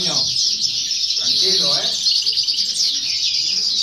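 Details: European goldfinch, a young first-year bird, performing in a singing competition held in 2018 or 2019; fast, liquid, twittering high notes run without pause, with faint voices in the background.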